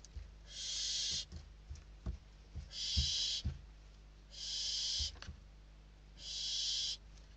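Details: Hungry barn owl chicks in a Spanish nest box struggling over a delivered bird; rasping, hissing screeches about a second long repeat roughly every two seconds, with knocks and scuffles of the fight underneath.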